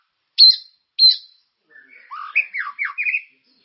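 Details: White-rumped shama song played to encourage caged birds to sing: two sharp high notes, then a quick sequence of slurred whistled notes rising and falling.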